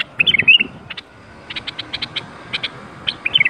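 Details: Bulbul 'berwaz' song used to prompt quiet bulbuls into song: short warbled phrases at start and end framing a run of crisp, evenly spaced chip notes.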